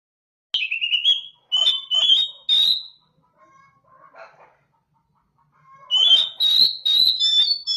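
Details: Oriental magpie-robin giving its calling song to draw replies from other magpie-robins: loud rich whistled phrases, a pause with soft quiet notes, then a rapid warbled run of bright whistles.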